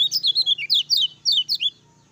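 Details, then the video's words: Lemon-bellied white-eye, a captive songbird recorded to serve as a master song that stirs other birds of its kind to sing, giving a rapid run of high, sweeping chirped notes, about nine in under two seconds, then silence. "SUARA KECIAL KUNING GACOR NGEJOS AMPUH RANGSANG KECIAL KUNING CEPAT BUNYI"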